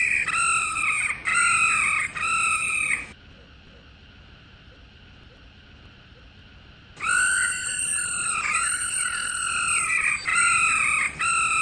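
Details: Female laughingthrush calling to excite males to sing: three quick rolling buzzy phrases, a four-second lull with only faint hiss, then a longer run of rolling trills with slight pitch wobbles.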